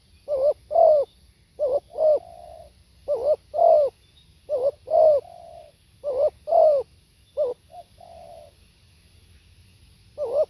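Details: Spotted dove singing steadily, about seven repeated phrases of a short wobbling coo followed by a fuller falling coo, some ending in a soft trailing hum, in a quiet setting.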